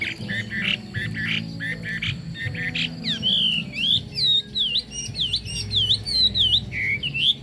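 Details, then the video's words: Harsh, rasping notes open, then a Chinese hwamei breaks into clear, looping whistles that dip and rise repeatedly, sung over a low rumbling background. "Họa mi hót"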